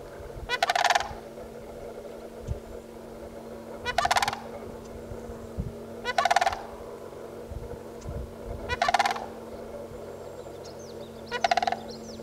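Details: Sandhill cranes calling in a duet: loud, rolling, rattled bursts repeated about every two and a half seconds, five bursts in all, separated by quiet gaps filled with a steady low hum and faint background noise.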